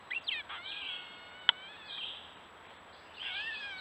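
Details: Gray catbird in the woods of Strafford County, New Hampshire, near a stone wall, recorded by a trail camera: a run of varied slurred and nasal notes, one sharp click in the middle, then a rising mewing phrase.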